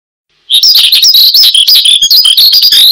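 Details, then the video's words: Branjangan (Horsfield's bushlark) singing prolifically, used as a lure and tutor song for cage birds; after brief silence, a dense, fast run of high chirps, trills and short whistled slurs pours out without pause. "Kicau Burung BRANJANGAN Gacor, Untuk Pancingan Dan Masteran"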